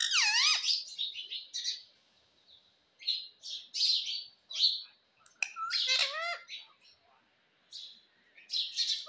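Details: Pet rose-ringed parakeet in talking training: a harsh wavering squawk at the start, then bursts of high chattering notes and another strong squawk midway, separated by short silences.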